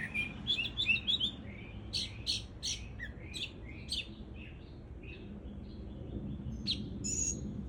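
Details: Song of a Cuban mockingbird, rapid bursts of sharp chirped notes and buzzy phrases tumbling together, then softer scattered notes, with steady low background noise.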